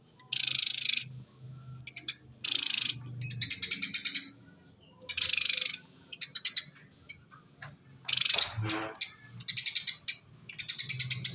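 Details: Eurasian tree sparrow chatter used to lure wild sparrows: bursts of harsh, buzzy, rapidly repeated chirps in bouts of about a second, separated by short pauses.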